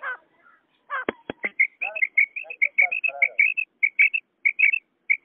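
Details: Common quail calls, male and female, played to lure quail for hunting: short paired high notes repeated steadily after an opening burst of human speech, with some talking overlapping the early notes.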